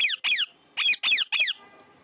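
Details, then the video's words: Pet parrot, described as talking a lot, loud and close indoors: five shrill squawks falling in pitch, two quick ones, a pause, then three more, ending in quiet room hum. "my cute parrot talking so much"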